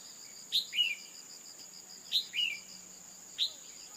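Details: Red-whiskered bulbul, female, calling to encourage a male to sing: two full phrases of a high sharp note and a sliding descending note, then a lone high chip, with a steady shrill tone throughout.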